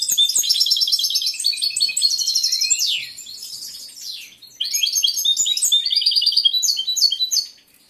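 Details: Caged male European goldfinch in full breeding condition, kept as a competition bird with a large repertoire, singing a fast twittering song of high buzzy trills and quick chirps, briefly softer mid-clip before resuming strongly.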